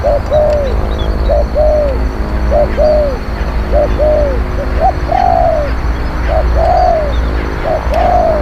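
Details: Spotted dove song used as a decoy to lure wild birds: low, arched cooing notes in short paired phrases, a brief note followed by a longer descending coo, repeated about every 1.3 seconds over steady background hum.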